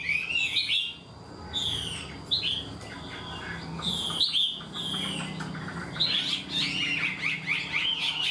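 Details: Caged Chinese hwamei, an unrefined bird singing a full structured song. Loud whistled phrases alternate with brief quieter gaps, and the last seconds become a busy run of quick, high, rising and falling notes.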